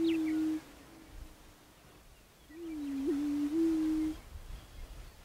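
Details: {'caption': 'Prairie chicken: the tail of one low hoot, a pause, then a full hollow moaning hoot with a brief pitch bump in the middle, over soft background noise.'}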